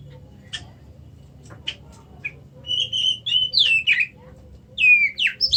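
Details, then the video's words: Oriental magpie-robin singing: a few sharp chips at first, then from about three seconds a run of loud clear whistled notes, some level, some sliding down, around mid-high pitch, over a low steady hum. "kacer macet"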